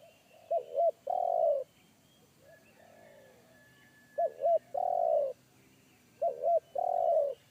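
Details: Big, deep 'kuk satu' voice of a wild spotted dove in forest, which made a trained decoy dove shy away; three phrases of two looping short coos and a long, slightly descending coo, with faint other coos and thin high notes between.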